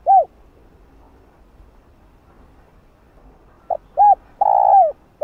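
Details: Spotted dove, used as a lure to provoke wild doves into cooing: a lone downslurred coo, long quiet gap, then a soft short note, two arched coos and a long burry coo falling at the end.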